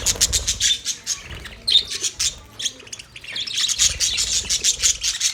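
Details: Budgie parrots in a lively chorus, rapid high-pitched chirps and buzzy chatter packed closely together, brief pause near the middle before the chattering resumes.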